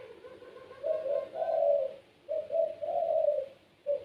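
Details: Puter pelung dove, a kept cage bird known for a gacor voice, singing low soft coos: short notes leading into a longer rolling coo, repeated twice.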